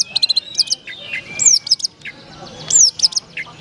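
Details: Long-tailed shrike from Madura competing in a bird singing contest: sharp high chirps, slurred downward whistles and scratchy notes in quick irregular bursts, with faint voices beneath.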